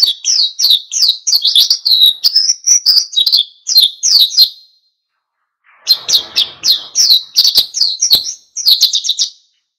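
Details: Oriental white-eye delivering an energetic wild-style song to goad other birds into singing: two long runs of high, quick, slurred chirps separated by a short pause, with faint rustling.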